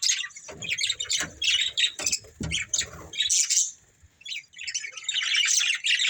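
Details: Budgerigar breeding pair giving sharp squawks and chirps in quick bursts, with soft thumps and taps mixed in, a short quiet gap, then a continuous buzzy warbling chatter.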